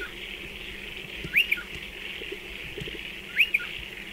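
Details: Nesting striated pardalote at burrows dug into a dry stone wall. Two fainter arched whistled calls, each with a short second note, sound about two seconds apart against steady background hiss.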